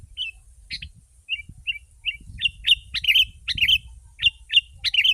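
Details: Sooty-headed bulbul song for luring wild birds, starting with soft, spaced whistled notes and building to loud, dense bursts of chirpy, bubbling phrases, with faint high hiss and low background noise.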